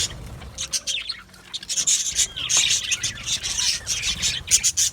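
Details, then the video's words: Australian budgies in an aviary colony, a dense chorus of fast, high, scratchy chirps and warbles overlapping continuously, with brief brighter squeaks standing out. "Budgie birds chirping sounds"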